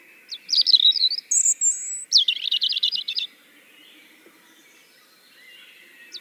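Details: European Robin singing, a recorded example played in Tartu, Estonia, in August 2020: a burst of high warbled notes and a thin drawn-out whistle, then a rapid buzzy trill, followed by near silence with a faint hum and one short high note.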